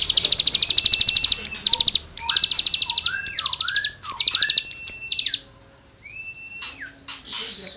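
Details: Cigun in full lively song with rasping 'gesekan' material used to tutor songbirds: rapid high buzzy trill bursts of ten or more notes, separated by short slurred whistles that rise then drop, ending in scratchy notes.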